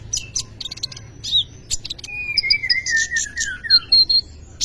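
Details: Sunbird (kolibri ninja) in energetic song, used as a training lure for other birds; high chips and buzzy bursts, then a long thin whistle sliding gradually downward, followed by short high whistled notes.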